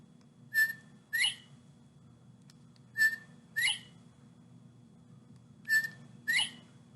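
Northern Bobwhite giving its clear whistled two-part call, a short note then a sharply rising whistle, repeated three times over seven seconds, with a low hum behind.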